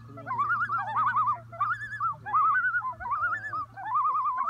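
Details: A pair of common loon parents protecting their chicks give rapid, quavering tremolo alarm calls at a flying bald eagle to show it they know it is there, wavering up and down in overlapping bursts over a steady low hum.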